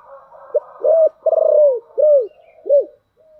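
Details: Spotted dove decoy calling in the deep 'thổ đặc' voice style to provoke wild doves: a short low note, a rich note, a long throbbing pulsed coo, then two arched, downslurred coos, with quiet cooing behind.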